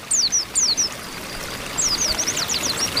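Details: Female Oriental white-eyes calling in a group to stimulate males: a few paired high falling chirps, a quiet gap, then a quicker cluster of thin, slanted chirps.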